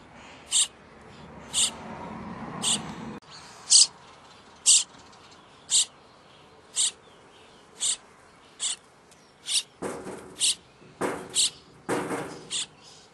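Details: Starling babies at feeding time giving sharp hissing rasps about once a second, quickening toward the end, over a low rumble at the start.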